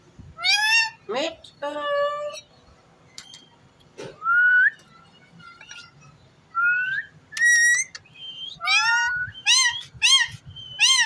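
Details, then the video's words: Pet ring-necked parakeet with music playing, giving scattered harmonic squawks, a few clear rising whistles, then a rapid series of short chirping calls near the end, separated by quiet gaps. "Amazing parrot talking funny clips"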